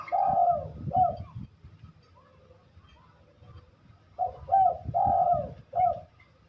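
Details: Spotted dove in full song: two low hollow cooing phrases of several notes each, a rising pickup followed by a long rolling coo and a short closing note, with a silent gap of about three seconds between them.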